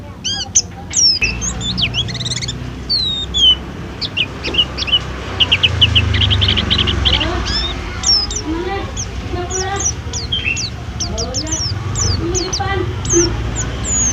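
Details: White-eye known as pleci, kept at a food stall, pours out a long varied string of high chirps, slurs and twitters. Voices and traffic-like rumble run underneath.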